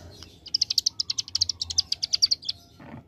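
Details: Ciblek gunung, the bar-winged prinia, delivering a 'ngebren' AK47-style burst: a two-second rattle of quick, piercing high notes, evenly stuttered, ending with a soft low thump.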